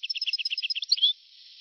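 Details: European goldfinch song from a very old recording made between 1982 and 1990: a quick series of bright chirping notes, about a dozen evenly spaced, then a short rising twitter that ends abruptly, followed by quiet.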